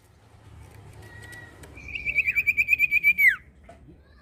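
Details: Common iora: a faint thin whistle, then a rapid trill of about twelve bright whistled notes at even pitch, ending in a steep downward slur over a low background hum.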